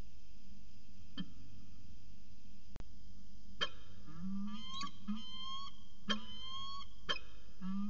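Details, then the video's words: Peregrine falcon pair talking at CSU Orange in January 2019, afternoon: after a quiet start, a series of drawn-out, slightly rising whining wails with harsh onsets follows, over a low steady hum. "Peregrine Falcon Long Afternoon Discussion"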